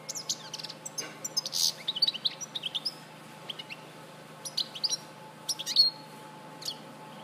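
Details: Goldfinch from Larache, 2014, giving bursts of high twittering and chirping notes separated by brief pauses, with a faint steady low hum behind.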